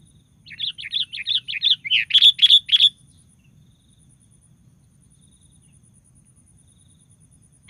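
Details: Sooty-headed bulbul singing, used as a lure to provoke other bulbuls to sing: a quick run of about a dozen bubbly, warbling notes over two and a half seconds, growing louder, then silence.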